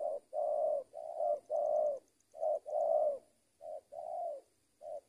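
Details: Spotted dove used for luring, giving rich low coos in linked phrases of short and drawn-out notes, about three phrases in five seconds, with a faint high whine and soft ticking in the background.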